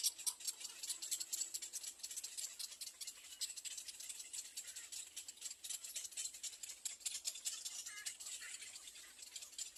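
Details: Little egret nestlings at the third nest screaming for food with a continuous, buzzy, rattling chatter of fast high clicks, briefly joined by a short squeaky note near the end.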